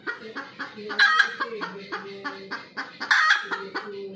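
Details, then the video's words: Red junglefowl calling after laying an egg: a steady run of loud, harsh clucking notes about every quarter second, with two stronger, drawn-out squawks near the middle and end, over a faint low hum. "AYAM HUTAN SELEPAS BERTELUR"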